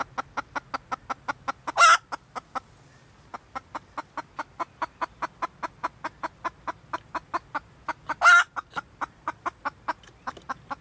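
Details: Female red junglefowl clucking in a long steady series, roughly four clipped notes per second with a brief pause, punctuated by two loud rasping squawks.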